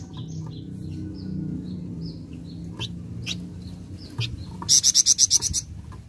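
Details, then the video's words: Flameback lure recording that birds answer right away: soft scattered whistled notes over low background hum, then a loud rapid burst of about seven sharp high notes near the end. "Sekali Putar Bahan Flamboyan Langsung Nyaut"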